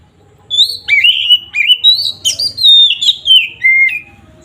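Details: Gacor oriental magpie-robin delivering fighting-style song to anger rival kacer: a steady string of bright whistled phrases, some upslurred, some downslurred, with a few harsh buzzy accents, loud and continuous for about four seconds.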